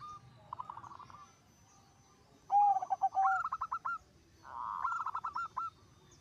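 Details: Zebra dove (perkutut) in full, energetic song said to set other zebra doves singing; three phrases, each a mellow low coo running into a quick stuttering series of pulsed notes near the same pitch, over a faint low background hum.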